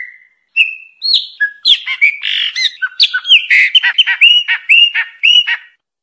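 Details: A chopi blackbird sings a rapid, rich phrase of whistles, clicks and chattering notes that builds into a fast jumble, then stops abruptly, with no other sounds.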